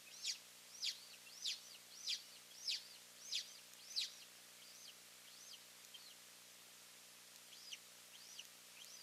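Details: At a golden eagle nest in Finland holding two eaglets, with both parents arriving, on May 3, 2024. Seven clear, high, falling yelps come evenly for four seconds. Fainter, sparser notes follow over a steady low hum.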